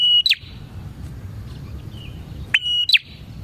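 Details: Lively bar-winged prinia song meant as a lure for trapping prinias: a clipped high whistle ending in an upward flick, then a faint thin note, and the same bright phrase again about two and a half seconds later.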